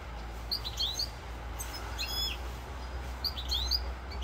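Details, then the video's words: European goldfinch singing, 'rosse corse', recorded 7 November 2022: lively twittering phrases of rapid, rising chirps and metallic tinkles, with a short pause midway, over a steady low hum. "chant chardonneret rosse corse"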